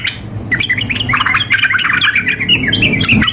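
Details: Sooty-headed bulbul, female calling a male alongside an energetic male in a contest-style mix: quick jumbled chirps and squawky notes pouring out densely over faint low hum.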